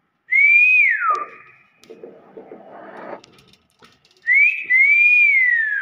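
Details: Common hill myna praised as a clever talker, giving a loud, pure slurred whistle that rises then falls, a pause of soft murmuring and rustling, then the same drawn-out whistle again.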